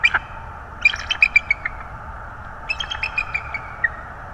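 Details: Bald eagle calling at a Florida nest holding two newly hatched chicks, January 2022: a sharp opening note, then two separate bursts of quick, high, squeaky chittering with a short quiet gap between.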